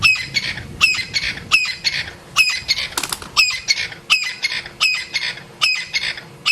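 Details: Crested francolin in African bush during an afternoon game drive, after suddenly flying in and landing near a feeding elephant: loud, harsh, grating squawks repeated roughly every three-quarters of a second in an excited rattling series.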